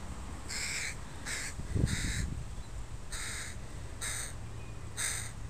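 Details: Crows of a family with young birds in a park on a Sunday, giving seven harsh, hoarse caws in short bursts, some spaced about half a second apart and others nearly a second apart, with a brief low thump in the background.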